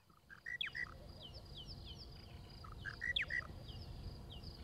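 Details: A Monotonous Lark gives a short, clipped phrase of whistled and burry notes, repeated after about two and a half seconds, over a faint chorus of distant birds and insects; recorded March 12, 2017 in the Djuma Game Reserve area.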